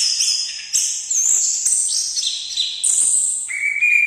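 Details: Loud, continuous orange-headed thrush song: strong high whistled notes and scratchy trills in rapid succession, ending with a lower sustained whistled phrase; the singing dominates with no other clear background sounds.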